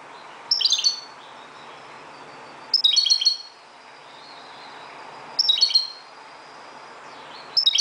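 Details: At dawn a Moroccan goldfinch gives bright rattling twitter phrases about every two to three seconds, a faint drawn-out whistle linking them, with a steady quiet hiss behind.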